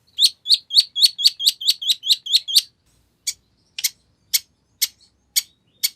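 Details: Long-tailed shrike singing a full, lively song used to lure a rival into replying; a fast string of about ten bright high chirps, then sparse sharp clicks spaced roughly half a second apart.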